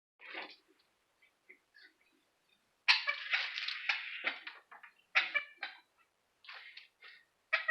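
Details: Pet Indian ringneck parakeet indoors imitating the cough of its owner, who has been sick for three days: harsh, raspy, noisy bursts, some short and others drawn out, in uneven groups.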